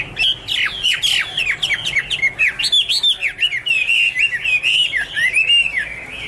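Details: Chinese hwamei singing in 2017, loud and clear: a series of strong downslurred whistles about three a second, then a run of looping, warbled phrases, with quieter chirps behind.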